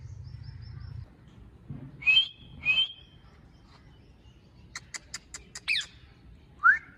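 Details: Talking ring-neck parrot kept as a pet: two brief squawked syllables in quick succession, then a fast burst of clipped chattering notes and a final rising whistle, with low indoor hum underneath.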